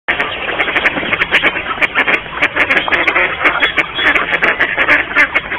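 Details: Mallards in courtship in a garden in Mikorzyn, a dense chorus of overlapping quacks and rasping nasal calls from many birds at once, with no pause.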